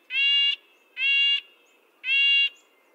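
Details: Red-breasted nuthatch calling three times, each call a nasal, bleating half-second note like a tin trumpet, repeated about once a second over quiet background.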